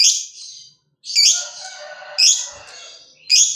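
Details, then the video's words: Lovebird of fighter type in captivity, sounding off to set other lovebirds singing: loud harsh high chirps about once a second, with a softer rasping chatter between them. "BANYAK LOVEBIRD LANGSUNG BUNYI SETELAH DENGAR SUARANYA"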